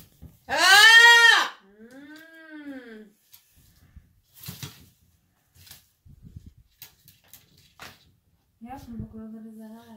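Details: Angry hybrid macaw, a pet kept at home, about four months old on arrival: one loud, harsh arched scream lasting about a second, a softer arched call, then clicks, a woman talking and a low nasal call.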